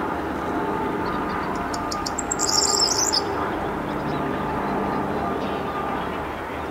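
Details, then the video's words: A corn bunting singing at Rheindürkheimer Spieß reserve near Worms, Germany, on 23 May 2022 at 20:00: a few ticking notes speed into a glassy rattle like shaken keys, over a low traffic rumble. "Corn Bunting Call"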